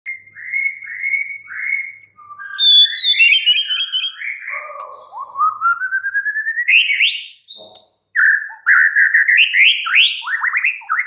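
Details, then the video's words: Caged white-rumped shama singing: clear whistled notes near the start, then a rising stepped run of rapid notes, followed by fast upswept chattering phrases. "murai batu BISU, STRES, MACET TOTAL bakalan NYAUT GACOR dan Kembali FIGHTER"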